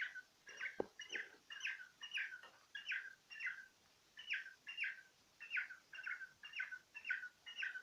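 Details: Cockatiel gazing into a little mirror, chirping steadily in short paired notes roughly twice a second over a faint background hiss, with one click near the start.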